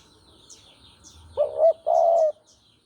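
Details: Javan spotted dove singing, a recording meant as a lure for bird trapping: a short wavering coo followed at once by a longer, steady, hoarse coo. Faint high chirps from other birds are heard in the background.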